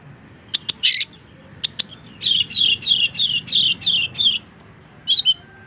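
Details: Long-tailed shrike song for tutoring other songbirds: a couple of sharp clicks and a harsh burst, then a run of seven similar warbled, rising-falling phrases, closing with a short double note.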